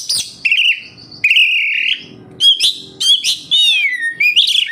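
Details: Oriental magpie-robin, kept captive, singing as a lure to prompt other caged birds: long level whistles, short sharp high notes, and warbling phrases that dip and rise, delivered in clear bursts with brief pauses between.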